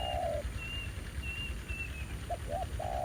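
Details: Brief stretch of spotted dove cooing at a decoy trap in rural fields: a long low coo, then two short hoots and another drawn coo, with a different bird's thin high whistles above.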